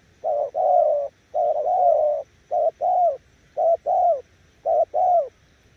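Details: Spotted dove cooing in low, mellow paired notes: a short coo, then a longer note that swells and falls. The pairs repeat about once a second, with a steady faint background hum.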